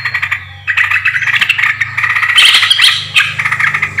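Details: Yellow-vented bulbul calls recorded 20 July 2024 for luring birds: a brief pause, then busy overlapping chirps and squawky notes, loudest toward the middle, over a constant low hum.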